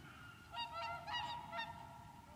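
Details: A short run of four bugling honks from wintering whooper swans at Lac du Der, Champagne, France, recorded 30 January 2014, over a low background drone.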